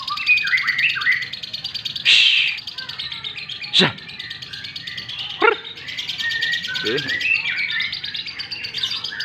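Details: White-rumped shama singing in morning sunning: varied whistled and chattering phrases, broken by loud hissing shushes and a harsh rattled note, with a faint steady high buzz behind.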